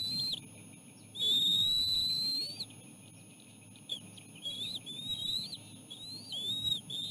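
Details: Osprey parents at the nest with chicks, the female taking over from the male in feeding a small fish; one long, loud, steady whistle, then a string of shorter rising peeping notes.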